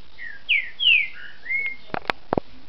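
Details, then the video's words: Captive Green-winged saltator (trinca-ferro) from a registered Brazilian breeder, singing in the mineiro style, recorded 29-06-10: four clear slurred whistled phrases, some rising and some falling, followed by several sharp clicking knocks near the end. "trinca ferro mineiro"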